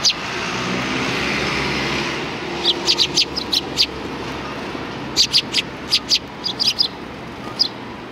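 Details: Sparrows recorded behind a civic cultural hall, 17 January 2020: a low rumble of passing noise, then two bursts of short, sharp, high chirps in quick irregular runs.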